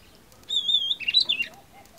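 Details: An Oriental magpie-robin (Copsychus saularis) gives a clear, slightly wavering high whistle, then a brief burst of sharper, tumbling notes, all under a second; the background is otherwise quiet.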